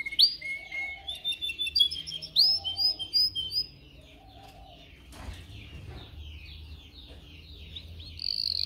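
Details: Canary song meant for training canaries to sing: quick rising whistles and chirps in bursts with low hollow notes between them, then a quieter stretch of soft twitter and a buzzy roll at the end.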